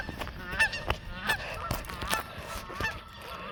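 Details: Geese at a pond flushed into flight when chased, giving rapid, uneven honks at well over one per second, overlapping calls from several birds above background rumble.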